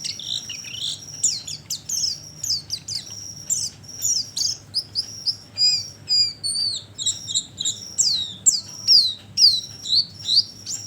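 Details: Oriental white-eye calls used as a bird lure: busy, high, squeaky chirps and slurred twitters repeated about twice a second in uneven bursts, with a continuous high whine in the background.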